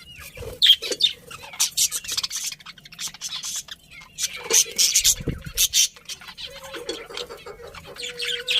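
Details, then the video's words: Budgies chattering with many quick high chirps and scratchy notes, dense in the middle, ending with a steady thin whistle-like tone. "Cute Birds Chirping Sounds #Beautiful Budgies"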